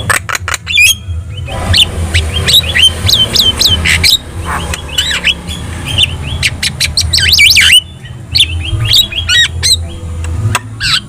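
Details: Lively Javan myna delivering a rich medley to stir other birds into responding: repeated hooked whistles, squeaks and rasping bursts in fast series, with a steady low hum throughout.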